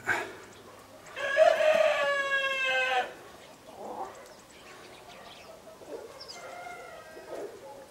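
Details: Loud, even crow of almost two seconds from a black-blue mottled Leghorn chicken, followed by quieter clucks and a faint later call from other birds nearby.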